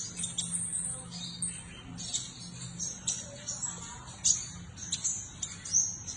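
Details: A seven-coloured sunbird twitters in very high, thin chirps and short trills at an uneven pace, over a faint low murmur like distant voices.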